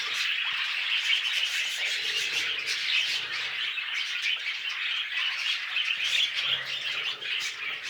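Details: Mating budgies keep up an even, buzzy warble of fast chirps at a constant level throughout, with faint low hum underneath.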